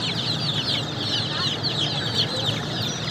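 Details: Chirping baby chicks: a dense flock of piercing little peeps, some upslurred and some falling, heard without a break over faint low noise.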